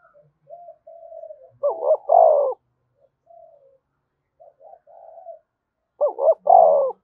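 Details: Spotted dove cooing to prompt other doves to answer: soft low murmurs and short hums lead into two full phrases, each a clipped doubled note followed by a rich, rolling, downward-sliding coo.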